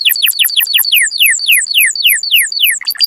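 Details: Canary mating song: a rapid series of bright downward-sliding whistles, about three or four per second, each sweeping from high to lower pitch.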